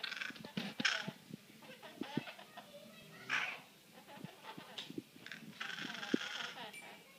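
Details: A captive female great-billed parrot mutters in speech-like phrases, low harmonic chatter punctuated by brief raspy bursts and a sharper squeal around three and a half seconds, with a Goffin's cockatoo sharing the room.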